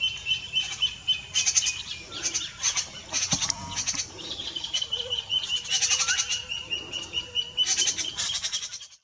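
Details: White-tailed Jay (Cyanocorax mystacalis) giving harsh, scratchy bursts in quick clusters, several a second, over a thin steady high-pitched background tone, at Reserva Ecológica Arenillas IBA, Ecuador, in May 2018.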